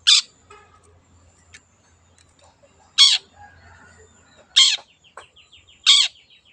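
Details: Long-tailed shrike, a wild bird, in a lure recording: four loud, harsh, downslurred rasping notes spaced one to two seconds apart, with faint soft twittering and a low hum between them.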